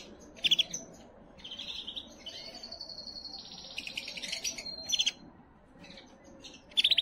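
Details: Singing canary used to excite and prepare females: loud bursts of rapid rattling trills, a long drawn-out high whistle in the middle, and scattered chirps over a low hiss.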